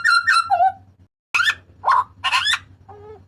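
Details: Loud, harsh cries of a Papuan butcherbird: two ringing notes slurring downward, then after a pause several raspy, noisy shrieks and a soft doubled tone, with a low hum beneath.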